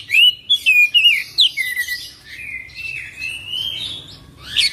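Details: Oriental magpie-robin opening with quick looping whistled notes, then one long smooth whistle slowly rising and falling, ending in a sharp chirp.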